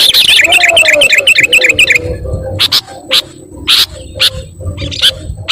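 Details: Sooty-headed bulbul, or kutilang, calling boisterously: a fast run of high, bouncing repeated notes for two seconds, about four per second, then sparse sharp clicks and single chirps.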